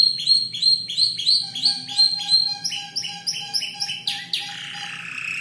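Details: Young domestic canary, about five months old, learning to arrange its song from copied phrases of other birds such as bar-winged prinia. Series of rapid repeated high chirped notes with a faint low hum, ending in a rising slur and a buzzy trill.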